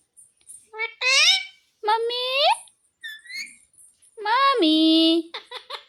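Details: A talking Alexandrine parakeet in a high, nasal, childlike voice gives four or five short word-like phrases like "mummy", "papa", "mithu" with swooping pitch, then a few soft squeaks.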